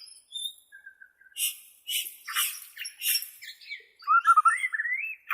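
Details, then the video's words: Bornean white-rumped shama singing: a thin high whistle and a short low whistle, then a run of harsh, buzzy bursts, closing with a loud, rising, warbled whistle. No other sounds. "SUARA ASLI BURUNG MURAI BORNEO,cocok buat terapai murai batu anda"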